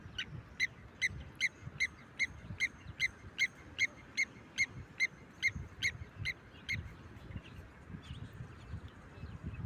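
Blacksmith lapwing giving a fast run of sharp metallic 'tink' notes, about two or three per second, like a hammer on an anvil, over low wind rumble.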